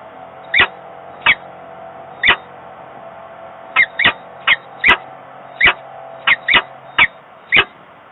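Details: Nest-box peregrine falcons in Włocławek, Poland, 15 November 2022, calling to each other at a distance, one on the grille, one in the box; clipped, sharp notes come singly and in pairs over a low electrical hum.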